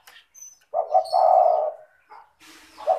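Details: Tekukur, the spotted dove, heard as a lure recording meant to coax reluctant doves into calling: a single mellow, low cooing phrase swelling and fading, a soft note after it and the start of another coo.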